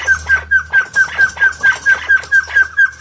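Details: White-faced partridge calling in a rapid, even run of clear, slightly falling whistled notes, about four each second, with a low hum underneath.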